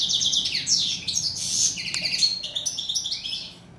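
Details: Singing European goldfinch, the chardonneret or Moroccan steyla: a loud burst of rapid, ringing twitters and nasal buzzes, dense and high, fading slightly toward the end.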